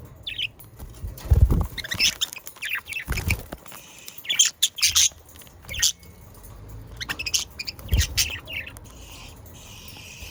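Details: Pet budgerigars recorded in the Den Haag region of South Holland, Netherlands, meant to stimulate other budgerigars to sing: scattered short rising chirps and harsh squawks, irregular, with broadband clicks and thumps between calls.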